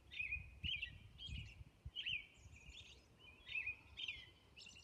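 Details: On Orcas Island at dawn, a robin delivers short fluty warbled phrases separated by brief pauses, with thin high squeaky notes mixed in and faint low background noise.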